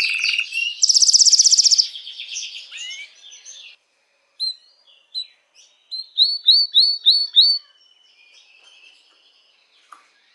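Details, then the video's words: Song of a canary used to excite females for breeding: a dense buzzy phrase and piercing high roll, a pause, then scattered chirps building into a run of rising whistled notes before quiet. "تغريد كناري"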